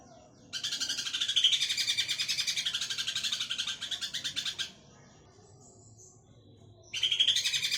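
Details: Greater green leafbird ngekek, a fast chatter meant to prompt other birds to sing: a long harsh rattle of rapid pulses about four seconds long, a pause over low hum, then the chatter resumes.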